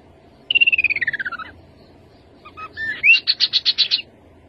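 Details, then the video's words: Rufous-capped babbler: a fast pulsed trill slides steadily downward for a second. After a pause come soft notes, a rising whistle and a slower series of about eight loud high pulses. "Khướu bụi đầu đỏ. tiếng khướu đầu đỏ."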